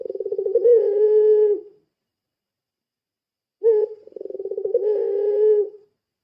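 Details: Puter pelung dove calling as a lure: two phrases of rapid rolling pulses that swell into a long low steady coo, separated by about two seconds of silence.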